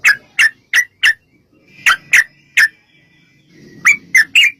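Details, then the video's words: Sooty-headed bulbul lure sound to make bulbuls sing: spaced groups of bright, liquid, slurred notes, four then three then three, with soft background rumble between. "trucukan gacor TARUNG ROPEL PANJANG pancingan trucukan agar bunyi jadikan burung trucuk gacor NYAUT"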